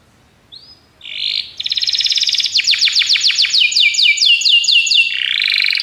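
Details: Belgian canary training song opening with a soft whistle, then a dense buzzy roll leading into a run of evenly spaced descending sweeps and a closing lower trill.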